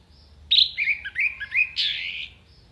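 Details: Continuous gacor singing from an orange-headed thrush, a contest-training song full of isian fill: one long run of slurred, warbling whistles with quick up-and-down turns, ending in a bright, harsher burst before fading.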